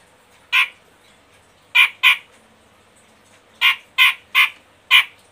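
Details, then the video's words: Medan cucak jenggot used as a lure recording for caged birds that are reluctant to sing: single and paired scratchy, squawking notes at irregular intervals, seven in all, with a quiet background. "Pancingan Ampuh Cucak Jenggot Medan malas macet bunyi biar gacor"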